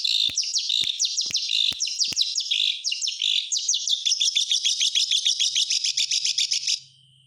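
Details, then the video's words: Energetic white-rumped shama song meant to get silent birds singing: rapid chirps over sharp clicks, then a quickening run of evenly repeated high notes that stops abruptly, leaving a faint hum. "SUARA BURUNG MURAY TERGACOR COCOK UNTUK PANCINGAN MASTERAN"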